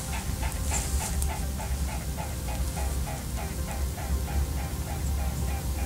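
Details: A swan takes off from a river by riverside meadows on 31 December, with steady, throbbing wingbeats about four per second over heavy low wind rumble.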